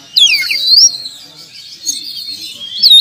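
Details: Oriental magpie-robin, a champion contest bird, giving a sweeping upslurred whistle followed by a drawn-out thin buzzy note and a final sharp whistle.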